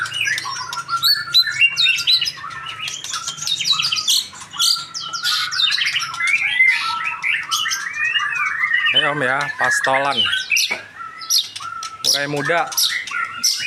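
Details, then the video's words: Young male white-rumped shama delivering a long, busy song of rapid chirps, clear whistles and descending slurs, broken twice by harsh, rattling stacked bursts, all over a steady low hum. "MURAI PASTOL Gacor!!!!!!"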